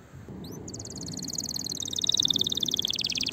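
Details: Fiery canary singing to encourage other birds to sing: a brief rising note, then a long, buzzy rolling trill that grows steadily louder over a soft background hum.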